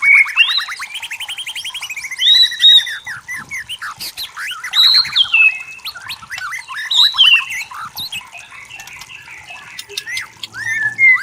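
White-rumped shama singing a rich, varied song of clear rising and falling whistles mixed with rapid chattering trills and buzzy phrases, delivered in bursts every second or two.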